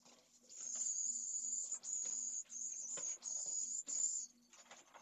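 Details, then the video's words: A pallid swift chick about to fledge, one of only three second-brood chicks in a school colony in Jerez de la Frontera, Spain, begs while its mother feeds it at the nest. It gives a very high, thin, buzzy trill in insistent bursts, with a faint low pulsing hum underneath. "¡TREMENDA CEBA! - Vencejo pálido"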